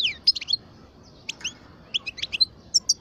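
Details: Parva European goldfinch twelve years old giving scattered short chirps and high sliding notes in small clusters, fairly sparse and quiet.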